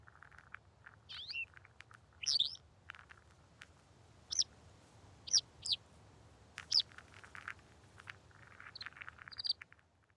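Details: Tibetan lark in Ladakh giving short, sharp, high metallic calls, single or doubled, spaced every second or two over a low background hiss, with faint lower chirps between.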